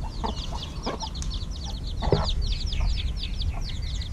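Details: Chicks a little over a week old peep continuously during evening feeding: many overlapping high, falling notes with a few lower clucks and a constant low background hum.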